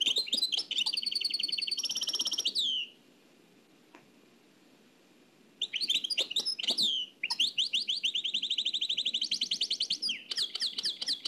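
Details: Cassette-era recording of a nightingale in the Oued El Alaiq style: a fast trill ending in a falling slur, about three seconds of silence, then renewed rapid repeated notes and rattling trills.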